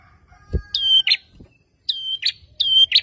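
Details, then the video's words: Agitated ashy tailorbird reacting to a lure: three quick two-part calls of a sharp high whistle followed by a harsh buzzy note, with low knocks in the background. "Burung Prenjak Kepala Merah Langsung Ribut‼️ Setelah Dengar Suara Ini Auto Nyaut"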